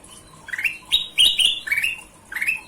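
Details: Brief burst of golden-vented bulbul song: upslurred whistles and a loud, bright doubled phrase in the middle, clean and close.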